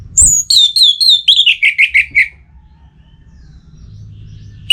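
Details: Orange-headed thrush song meant to provoke a rival, the bird in breeding condition: a high thin note, then a descending cascade of about ten quick slurred whistles, falling in pitch, followed by quiet.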